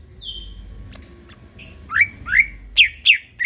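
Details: Greater green leafbird singing at night for a master recording: a soft drawn-out whistle opens, then after faint ticks come five loud upward-sweeping whistled notes, each roughly a third of a second apart.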